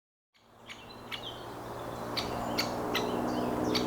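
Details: Great spotted woodpecker giving sharp, clicking single notes at irregular intervals of roughly half a second, each short and abrupt, over steady low background hum with faint thin chirps from other small birds.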